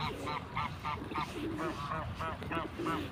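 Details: Duck quacking in nature: a clear, evenly paced series of about eleven nasal, buzzy quacks, roughly three each second, with softer lower calls underneath and a steady rumbling background.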